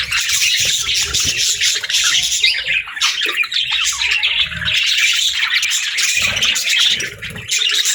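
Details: Steady budgerigar chatter: many overlapping high chirps and warbled notes, with brief harsher squawks and a few low thumps.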